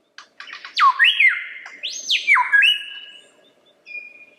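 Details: Lyrebird singing: loud pure whistled notes sweeping sharply down and up, with long level whistles and a brief later note, clear and varied over about four seconds.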